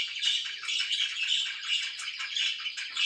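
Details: Loud, close chatter of pet budgerigars in the morning, a rapid mix of squawky chirps and bright tweets running without pause.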